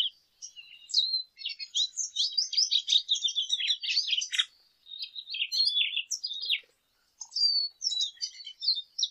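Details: Rapid, rambling high-pitched warbling and twittering from a lesser goldfinch, two long phrases broken by short pauses near the middle and later on.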